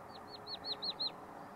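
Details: Woodlark at la Puebla de Valverde: six clear, high descending whistled notes repeated evenly, each a quick downward slur, growing slightly louder through the series, with a faint constant hum behind.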